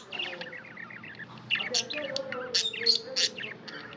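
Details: Pet budgerigars chirping: soft warbling twitter at first, then louder sharp high chirps from about halfway, over a faint low steady murmur.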